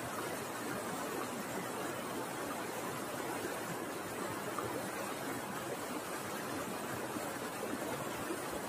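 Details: Steady, even broadband hiss like rushing water or distant wind throughout, with no animal calls.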